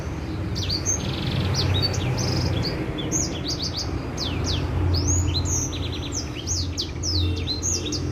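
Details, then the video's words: White-rumped seedeater singing, a recording used to coax other birds into song: lively, high-pitched warbling of sharp chirps, slurred whistles and brief buzzy trills in an unbroken stream over a constant low background rumble. "Suara Burung Edel sanger cocok buat pancingan agar burung mau bunyi"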